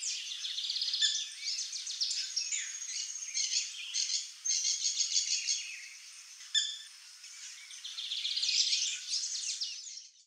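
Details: Free-living saffron finches in the wild: a dense run of bright, high chirps and trills, with overlapping chatter from several birds and no pauses longer than a moment.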